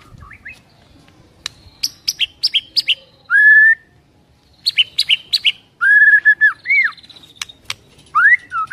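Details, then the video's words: White-rumped shama with full isian fill-in song: crisp clicks and bursts of high chips mixed with long, pure, slurred whistles, some held steady and some rising, separated by brief silences. "BURUNG MURAI‼️ SUARA ISIAN KUMPLIT"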